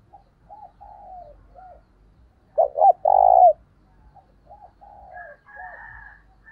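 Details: Decoy spotted dove giving a 'thúc bổi' lure call to attract other doves: quiet low coos, then a loud cluster of short coos and a long drawn one midway, followed by soft coos and a faint higher voice.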